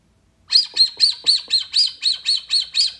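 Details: After half a second of quiet, a Brazilian teal launches a fast, steady series of about ten high arched whistles, roughly four each second. Played back to attract the bird.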